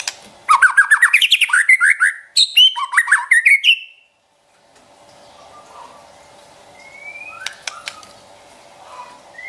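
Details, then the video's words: Trotol song from a champion white-rumped shama: a loud, fast string of rising chattering notes and whistles for about four seconds, then near silence with faint distant whistles over hum. "Trotol Murai Juara & Pancingan Ampuh Bikin Cepat Emosi & Tambah Gacor #SHAMA #SINGING"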